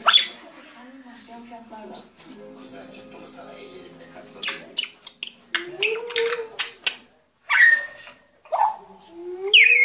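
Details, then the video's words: Grey parrot chattering in a busy mix of clicks, short squeaks, rising whistles and lower warbled notes, coming in rapid irregular bursts over about ten seconds. "Jako Papağanı Sesi"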